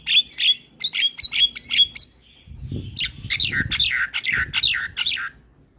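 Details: Lure recording of starlings to provoke quiet ones into song: a fast run of sharp, ringing whistled notes, then a rougher series of buzzy, descending chattering notes over low background rumble.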